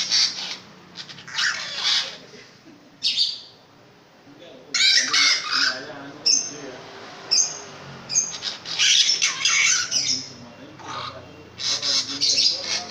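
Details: Loud-voiced long-tailed shrike in full song: irregular harsh, grating bursts separated by short gaps, with a few thinner, higher squeaky notes mixed in.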